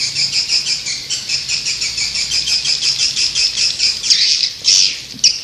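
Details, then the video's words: Swiftlet calls form a fast, even pulsed trill of buzzy high notes, then break into a few louder, drawn-out squeaky chirps near the end. "Suara Burung Walet"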